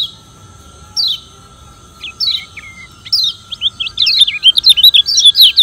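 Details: Lombok yellow white-eye, a caged bird used to provoke rivals into singing: spaced high descending whistled notes, then a fast twittering run of looping high notes. A steady electronic tone runs underneath.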